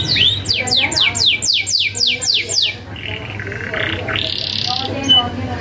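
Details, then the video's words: Domestic canary singing vigorously in a sharp rolling ('ngerol') style, kept as a master recording for young canaries to answer. About eight fast, high downward-sweeping notes repeat rapidly, then steadier whistled tones follow, over a low steady hum. "Kenari Gacor isian ngerol tajam"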